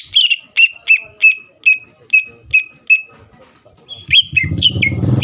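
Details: Greater green leafbird song used to provoke rival birds: a series of spaced, sharp whistled notes about every third of a second, then quicker varied notes as a low rumbling noise rises at the end.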